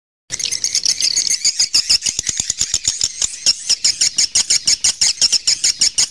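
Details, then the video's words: Swiftlet calling sound recorded naturally in a cave: dense, buzzy, high-pitched chatter over a steady run of dry clicks, about three per second, echoing in the enclosed space. "suara panggil walet"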